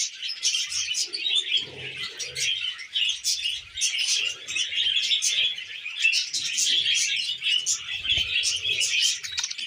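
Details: Several tame budgerigars feeding on wheat germ fill the air with lively, overlapping chirps and scratchy warbling, steady throughout with only faint low rustles.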